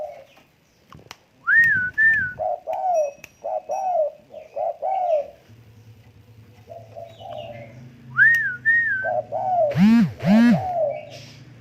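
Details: Tame spotted dove cooing in low rounded phrases, alternating with high slurred whistles. A steady low hum runs through the second half, with a loud swooping burst near the end.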